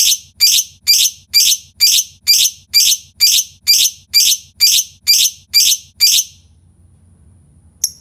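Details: Lovebird sound for provoking other lovebirds to sing: thirteen loud, shrill chirps at a brisk, regular pace, then near silence broken by one last faint high note.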